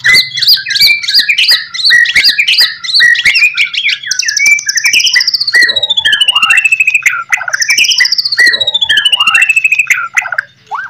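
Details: White-rumped shama master song to get other shamas to respond: quick chattering phrases, then long, high, gradually falling whistled notes mixed with short slurred calls, repeated twice.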